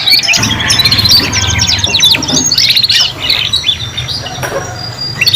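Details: Juvenile canaries, three in one recording, learning to sing: rapid repeated chirps and rolling trills, busiest early, thinning to sparser high notes and a thin whistle toward the end, over low hum.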